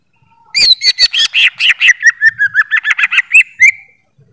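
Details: Greater green leafbird delivering a rapid three-second string of loud, slurred whistles, roughly five to six per second. The notes alternate between higher and lower pitches and end on a drawn-out whistle.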